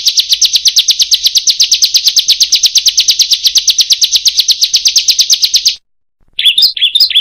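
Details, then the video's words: Bar-winged prinia song for training other birds. A long, fast, regular series of high chip notes stops abruptly, and after a short gap a few wavering, slurred whistled notes follow. "MASTERAN BURUNG CIBLEK/PRENJAK PALING MERDU DI KELASNYA"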